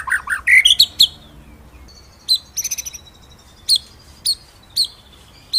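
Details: White-rumped shama song used as master material for other birds: a few varied whistles and chirps followed by isolated sharp high notes about every half second.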